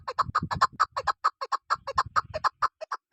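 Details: Rapid, evenly spaced chuk notes from a female chukar kept as a hunting lure, each note a short throaty cluck, repeated steadily with faint low handling noise underneath at the start and middle.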